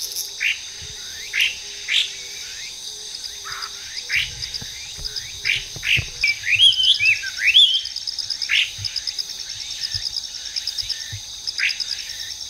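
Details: Wild hwamei, an invasive species, singing from trees in a park in Japan: loud, clear whistled phrases of varied falling and rising notes, repeated about once a second, over a steady high buzzing insect chorus.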